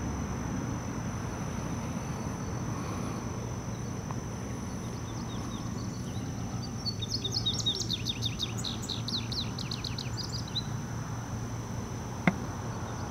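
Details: Male indigo bunting singing in the background along a stream valley trail in Herndon, Virginia, 29 June 2015: one high jingling phrase of paired notes lasting about three seconds, over steady low rumble and a constant high tone.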